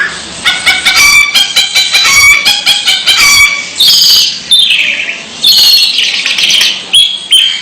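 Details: Long-tailed shrike giving odd calls: a rapid run of clicking, stuttered notes, followed by harsh rasping squawks that sweep downward, repeated in bursts.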